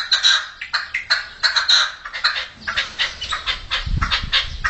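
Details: Red-legged partridge young heard in 2014, giving quick runs of rasping, squeaky chirps that overlap in a busy chorus, with a brief low thump partway through.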